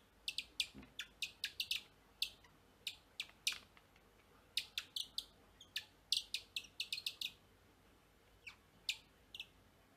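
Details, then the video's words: A Japanese tit fledgling that has just left the nest, held in a palm, gives short, sharp high chirps, singly and in quick bursts of two to four, irregularly spaced over a quiet background. "野鳥の呼び声 BIRD CALL"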